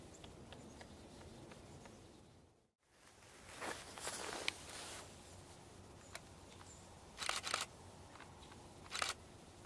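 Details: An adult male Pileated Woodpecker near sunset on 24 February 2013 at Columbia Bottom Conservation Area, Missouri, excavates a cavity, most likely for carpenter ants: irregular dry crunching blows in clusters, with a quiet outdoor background and a brief cut.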